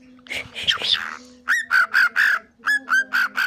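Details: Cockatiel kept as a pet, mimicking speech: a short rough squawk, then a steady run of about eight bright, even, nasal syllables. A soft human voice is heard underneath, and the Turkish "bolalım, bolalım" is repeated nearby.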